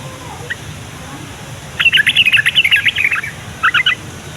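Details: Yellow-vented bulbul singing to prompt other bulbuls to reply. A dense, lively chattering phrase of quick stacked notes runs for over a second, then a short pause and a brief second burst of three or four notes.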